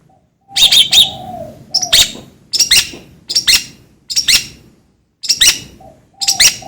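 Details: Long-tailed shrike calling in separate, spaced bursts of scratchy, buzzy notes, each burst under a second long and repeated roughly every second, with a low steady hum between them.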